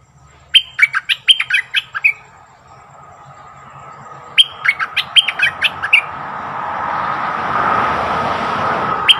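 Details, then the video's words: Bulbul lure call for wild birds: two sharp runs of clipped, bright, whistled notes repeated rapidly, as a rushing, roaring background noise swells and fills the second half. "เสียงต่อนกดอกแตงEp.85Bird soundsสำหรับต่อนกป่าตัวดุ!!"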